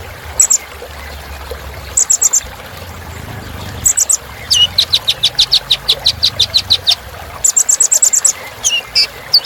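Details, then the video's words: Kolibri Ninja sunbird song mixing short, very high twittering bursts with a quick run of sharp repeated chirps, over constant soft background noise. "Suara Kolibri Ninja Isian Mewah Bikin Burung Semangat"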